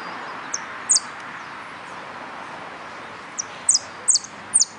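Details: In a singing competition, a yellow canary offers isolated high, piercing downslurred chirps, one early and then a cluster of four near the end, with quiet hiss between.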